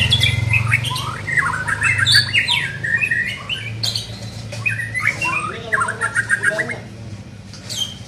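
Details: A young white-rumped shama in training sings a busy stream of short whistles and slurred chattering phrases with few pauses, over a constant low droning background.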